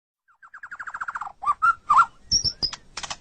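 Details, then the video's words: White-rumped shama song used as a master recording for training captive songbirds: a fast series of descending whistled notes, then rich warbled phrases and sharp high chips. "Ocehan Burung Murai Batu"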